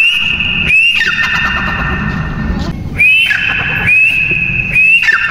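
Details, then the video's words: A captive partridge gives loud, shrill whistled notes that rise then hold level, repeated about once a second over a low background rumble. "Teetar ki awaz"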